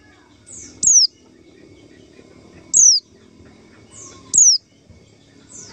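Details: Lure call of a white-eye, played to draw in wild birds for trapping: three thin, piercing, high notes sliding downward, each one separate and spaced about one and a half seconds apart, with faint background hum.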